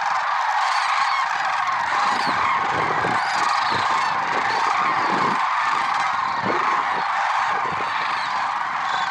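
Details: Lesser sandhill cranes in early morning at Merced National Wildlife Refuge, February 6, 2023; a thick clamor of overlapping rattling calls from a big flock, plus occasional low thumps in the background.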